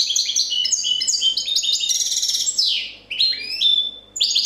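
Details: Champion European goldfinch in copia song, rapid liquid twittering phrases with ringing high notes, a brief buzzy downward slur near the middle, then short gaps between bursts of sweet whistled notes.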